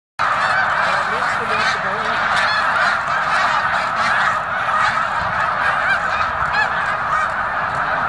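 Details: Snow geese on migration at Victoriaville in November 2018, a dense flock giving continuous overlapping nasal honks and yelps that merge into a steady, loud chorus with no pauses.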